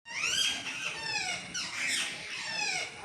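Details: Green talking parrot at a home in Mangalore, recorded 17 August 2025 in cool weather: a run of thin, high, squeaky calls with rising and falling harmonic sweeps, two bursts over three seconds, in a small room.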